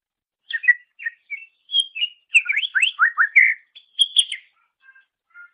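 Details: Greater green leafbird song in a master recording intended for training songbirds: varied chirps and whistles building to a rapid series of steep downward-sweeping notes, ending with soft quiet whistles.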